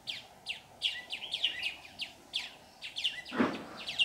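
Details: Decoy red-whiskered bulbul at a bird trap on 15 July 2019, singing to draw other birds in; short, clear, descending chirped phrases about twice a second, with one dull knock midway.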